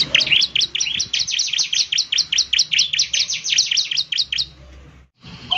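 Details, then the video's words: Ciblek semi (bar-winged prinia) in active song: a steady string of sharp, downward-sweeping high chirps, about two or three a second, ending abruptly with a short silence. "ciblek semi gacor"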